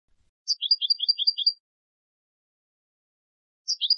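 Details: Goldfinch of the Turkish type singing in Istanbul, Turkey: a one-second phrase of crisp, high alternating chips, followed after two seconds of quiet by the same phrase starting again.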